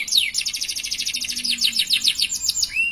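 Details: Singing canary, its long gacor song praised for luxurious cengkok: a fast, steady trill of sharp high notes running the whole time, ending in a short upward-curving whistle.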